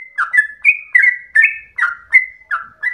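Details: Yellow-vented bulbul, in chatty ropel song that sounds like a straw-headed bulbul, giving bright slurred whistles roughly every third of a second, some notes holding flat before dropping.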